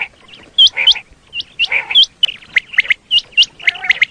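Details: Common quail call used as a hunting lure in Pakistan: rapid high upswept whistles in pairs, mixed with lower buzzy chirps, forming a busy overlapping run of notes.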